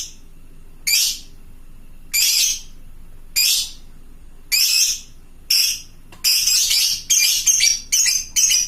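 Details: Fighter lovebird calling its companions with harsh shrill squawks about once a second, speeding into a rapid run of chattering notes near the end, over a quiet background.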